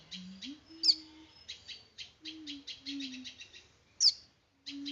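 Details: Small bird chirping in quick bursts of high, dry notes, with two sharp whistled down-sweeps near the first and fourth seconds and a faint low steady hum underneath.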